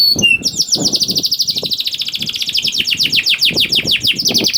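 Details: Vigorous canary song used to stir other canaries into singing: a few whistled notes, then a long fast high trill that gradually slows into separate swooping notes. Soft low knocking runs beneath it.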